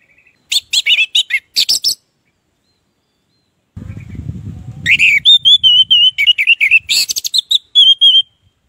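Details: Orange-headed thrush in gacor ngeplong song, used to make silent birds start singing; fast, chattering whistled phrases, a stretch of low rumbling noise, then long runs of high, steady whistles and trills.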